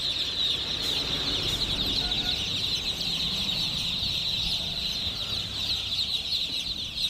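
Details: Domestic chicken chicks make an unbroken, hissing-like high chirping chorus, with little else besides faint low rumble.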